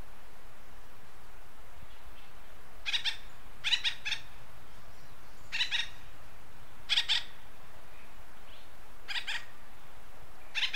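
Acorn woodpecker giving harsh, nasal calls in quick pairs and triplets, repeated every second or two over a faint low rumble.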